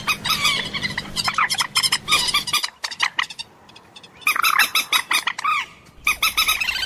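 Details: Common moorhen calling in a dense run of harsh, nasal notes rich in overtones. The notes come in rapid clusters, with a brief pause near the middle before another burst of quick repeated calls.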